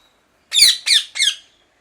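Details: Parrot uttering three loud, harsh squawks in quick succession, each a rough, rasping burst that trails off slightly, in an otherwise quiet setting.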